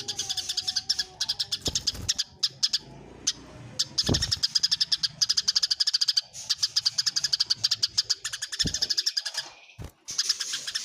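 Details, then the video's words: Eurasian tree sparrows squabbling in a fight, a long nonstop stream of fast, shrill chirps with occasional brief gaps and a few low knocks underneath, recorded clearly for tutoring songbirds. "suara greja tarung jernih"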